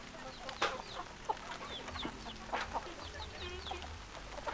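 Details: Hens clucking amid a flock where roosters also crow: scattered short, clipped clucks and soft squawks at uneven intervals, several birds overlapping, with low background hum throughout.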